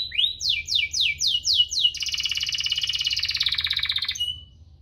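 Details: Canary singing as a lure for canaries reluctant to sing: six rising, sweeping whistled phrases repeated about every third of a second, then a dense buzzy trill that fades out.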